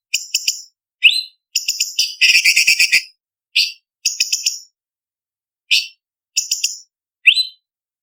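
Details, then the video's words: Master song of a blue-winged leafbird used to train songbirds for contests: sharp high notes and rising whistled sweeps mixed with rapid rattling buzzy trills, in bursts with brief gaps between them. "Masteran Cucak Cungkok Istimewa ~Isian Kasaran Pedas Variasi ~ Tembakan Masteran Burung Lomba"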